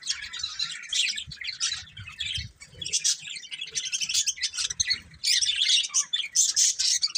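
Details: Colourful budgerigars, a breeding pair, chirping: dense bursts of high, scratchy twittering and warbling, coming in clusters with short gaps between them.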